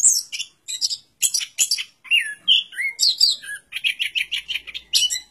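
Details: Orange-headed thrush giving varied song phrases: sharp chirps, downward-slurred whistles and a run of repeated buzzy notes, each phrase short and quickly followed by the next.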